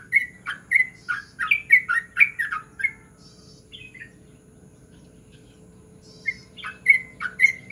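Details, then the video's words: A yellow-vented bulbul sings in the morning in lively, bubbly chattering phrases of quick liquid notes, pausing about three seconds before resuming, over a faint steady hum. "trucukan gacor ngerol"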